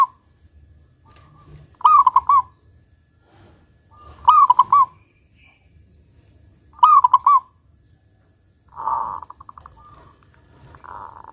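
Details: Local zebra dove singing its big 'kung' style song, used as a lure to get other zebra doves to sing: loud rolling, bubbly coo phrases near one pitch, about every two and a half seconds, with a quieter buzzy burst at the end.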